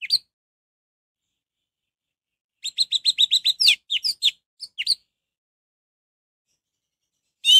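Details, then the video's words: An orange-headed thrush sings to goad other birds into joining in: a burst of fast, chattering whistled notes with a few swooping ones, separated by long silences, with brief fragments at the start and end. "Anis merah gacor || suara anis merah untuk pancingan"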